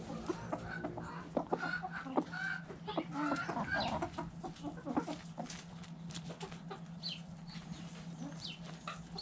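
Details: Backyard chickens dust bathing in the dirt, giving scattered short clucks and chatter over a steady low hum, with rustling and scratching throughout.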